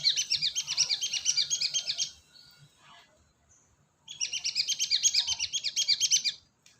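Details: Lure sound of a cinereous tit from Indonesia: two rapid trains of sharp, high chirps, each lasting about two seconds and delivered at an even fast pace, with a short pause between them.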